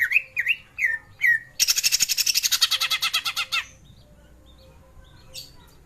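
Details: Greater green leafbird song used as a lure to stir young birds into singing: four rising, looped whistles, then a fast buzzy rattle of about twenty even pulses that stops abruptly, followed by near silence.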